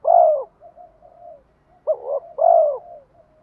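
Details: Decoy spotted dove calling to draw in and challenge wild rivals: a strong drooping coo, softer trailing notes, then a quick double note and another loud falling coo.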